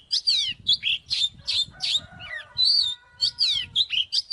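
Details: Oriental magpie-robin fight-provoking song: clear falling whistles alternating with buzzy notes, short phrases spaced evenly, soft low rustling underneath.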